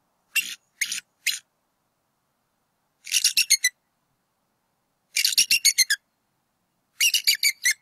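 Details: Pair of wild bald eagles at a campus nest in northwest Georgia, 8 April 2018, calling as the male chases off an intruder; three drawn-out shrill notes followed by three rapid, descending giggling series of thin, piercing pips.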